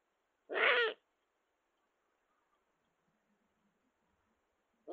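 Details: Courting Eurasian eagle-owls in the 2022/2023 season, with courtship beginning unusually early: one harsh, raspy, broadband call of about half a second, then quiet before another call starts.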